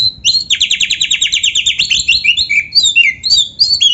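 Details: Oriental magpie-robin (kacer), a lively full song with canary-song filling. A long, even run of about twenty fast chirps, then varied whistled slurs rising and falling in pitch, loud and clean against a quiet low hum.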